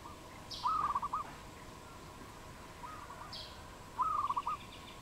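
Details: Cambodian wild dove, recorded 22.04.2020, utters two quick pulsed coo phrases about three seconds apart. A softer phrase sits between them, over a steady low hum.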